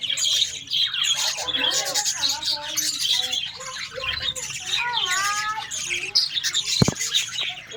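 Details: Colony of Australian parrots: busy overlapping chatter of squawks and sliding, descending warbled notes from several birds, with one sharp click near the end.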